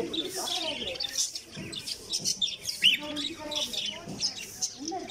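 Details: Caged cockatiel, a small parrot kept as a household pet, giving rapid bright chirps and short whistled notes, overlapping and busy, with low murmuring sounds beneath throughout.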